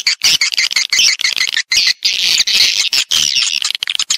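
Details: Swiftlet lure sound intended to help attract a colony into a house. A loud, crowded chorus of high, rasping chirps and twitters, almost unbroken, with brief pauses between bursts.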